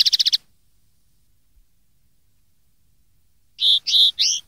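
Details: Song of a common linnet, used to teach young birds to sing: a brief rapid trill, a long silence, then three loud, slurred, twanging notes in quick succession.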